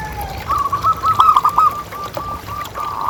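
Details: Zebra dove of local stock, a lure to coax other doves into calling: a bubbling, rolling phrase of quick coo notes, followed by a few drawn-out softer notes, with low background hiss.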